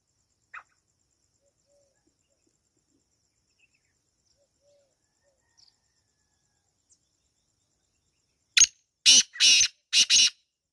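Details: After a long quiet stretch with one faint chip, a wild black francolin bursts into a grating sequence of four loud, buzzy, rasping notes in two close pairs.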